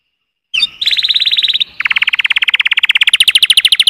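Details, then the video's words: After a short opening note, canaries deliver a rapid high buzzy trill, then a lower, faster rolling trill that holds steady and gains bright upper overtones toward the end. "تغريد كناري Chant Canaris singing canaries"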